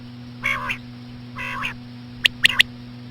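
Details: Common quail, slow female quail calls used as a lure: two drawn-out nasal, buzzy notes followed by a fast sharp three-click phrase, over a continuous electrical hum.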